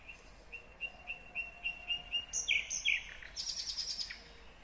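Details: Singing nightingale, Kyrgyzstan, 2020. A slow row of soft, pure whistled notes builds into louder, fuller notes, then switches to a rapid, buzzy high rattle.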